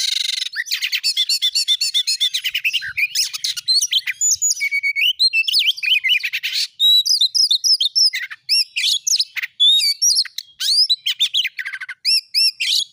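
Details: Oriental magpie-robin in full 'gacor nembak' song, played as a lure to make other magpie-robins sing; rapid buzzy rattles give way to bright looping whistles and clipped notes, delivered almost without pause.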